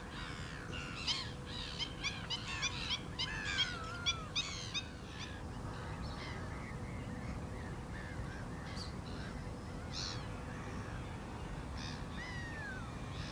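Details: Black-winged stilts calling in a dense, overlapping burst of harsh yapping notes, then thinning to occasional single calls and a drawn-out descending note, over windy background noise.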